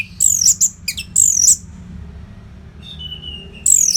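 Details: Orange-headed thrush (anis merah) singing a training song meant to keep contest birds fit: very high warbled whistles in two bursts, a soft level whistle, and another high phrase starting at the close.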